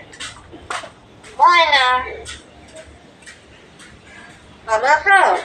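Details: Common hill myna talking, saying the Bengali phrase 'tumi khaicho' ('have you eaten'): two clear, voice-like harmonic phrases with wavering pitch, separated by quieter clicks and soft background noise indoors.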